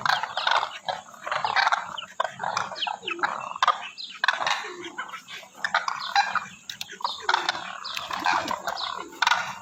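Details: A flock of demoiselle cranes (Grus virgo), a migratory species, calling together in a dense, continuous chorus of rolling, throaty croaks and trumpeting notes that overlap without pause.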